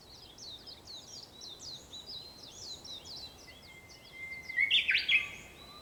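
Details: At dawn on 4 May 2021, around sunrise, a Japanese bush warbler holds a steady whistled note, then ends in a sudden loud, twisting flourish over a continuous high chirping chorus of other birds.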